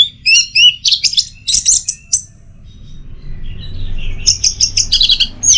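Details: An orange-headed thrush (Geokichla citrina) sings rapid, varied phrases of sweet whistles and scratchy notes, pausing briefly mid-song, over a low background rumble.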